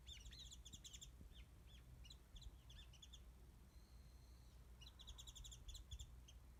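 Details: Warbling white-eye heard from a tree above a backyard mandarin feeding spot, filmed distantly on a phone; scattered short high chirps, a brief steady whistle in the middle, then a renewed burst of rapid chirps, all over a low steady drone.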